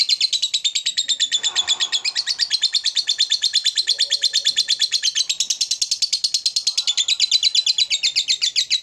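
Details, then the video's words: Long ngekek from a lovebird calling a rival: a continuous, high, buzzy chattering trill of evenly repeated pulses lasting nearly nine seconds, with faint low background noise beneath. "Suara Lovebird Memanggil Lawan Mancing Emosi Lanjut Ngekek"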